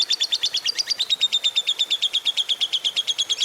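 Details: Fighter lovebird giving a long ngekek chatter, meant as a lure for quiet birds. A fast, even, high-pitched rattle of about eight notes a second runs throughout.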